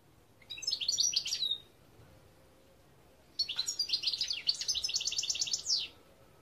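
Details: European goldfinch in 2021 giving two song bursts separated by a pause: first a short twittering phrase, then a longer sequence of liquid chirps that ends in a rapid, evenly pulsed buzzy trill.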